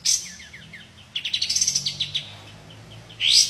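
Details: White-shouldered triller giving 'tembakan' song: a few soft descending chips, then a quick series of sharp repeated notes and a harsh rising burst at the end, over a noisy background hiss.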